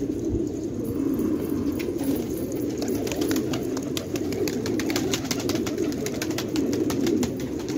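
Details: Several fighter pigeons at Khanabad, Afghanistan, coo steadily in a deep murmuring chorus, accompanied by a run of sharp clicks and taps in the later seconds.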